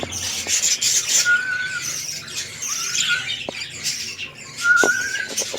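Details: Red-eyed lutino budgerigars from a breeding pairing, a king-size male and an undersized female: dense warbling chatter with three clear, drawn-out whistled notes, each level then slightly rising, among scratchy high chirps.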